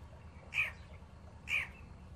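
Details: Young Alexandrine parakeets, newly acquired pet babies, giving two harsh, raspy squawks about a second apart, each short and noisy, over a low steady background hum.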